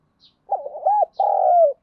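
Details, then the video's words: Spotted dove lure cooing for stirring up wild males: a fluttering run of short notes leading into a long, slowly descending coo, cut off before the final note. "tiếng cu gáy mồi giọng hạp bổi dùng kích bổi"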